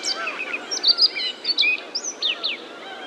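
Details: Citrine wagtails on Eocheong Island, Korea, give a quick run of high, thin chirps and short sliding notes, several overlapping within three seconds, over a soft outdoor hiss.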